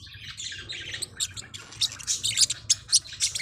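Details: Small Forpus parrotlets calling with quick sharp chirps and squawky notes, growing louder and denser toward the end, with a faint low hum underneath.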